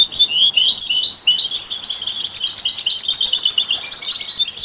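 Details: European goldfinch in steady, continuous song, presented to stimulate other songbirds: rapid, high, liquid twittering with repeated trilled figures and no breaks.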